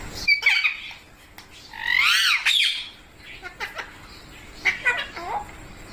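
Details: Indoor baby parrots kept as pets and fed milk and rice give a short squawk, then one loud, rough, wavering screech near the two-second mark, followed by scattered softer chirps and a brief human voice.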